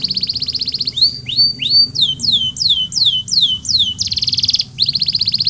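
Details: Canary song for post-molting recovery training: fast buzzy rolled trills alternating with rising then falling swept whistle notes, repeated in quick series, high-pitched throughout.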